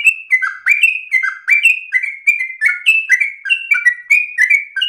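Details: Yellow-vented bulbul singing loudly and persistently, a tutor song said to be easiest for other birds to imitate. Clear, whistled, falling couplets tumble out continuously in a fast, lively, bubbly chatter.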